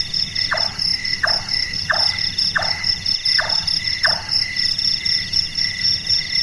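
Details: Large-tailed nightjar, active at night, whose call is likened to someone doing carpentry: six evenly spaced, hollow knocking notes roughly every 0.7 seconds, then silence from the bird, with a constant shrill insect drone behind.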